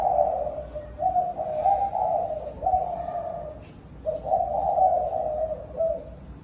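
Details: Evening flock call of a spotted dove, with soft hollow coos in slurred multi-note phrases that rise slightly and then fade, separated by short gaps, with faint room noise.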